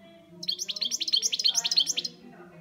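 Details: Pet European goldfinch singing a fast, bright twittering trill of about fifteen high, chirpy notes delivered in under two seconds, over a faint steady hum in the background.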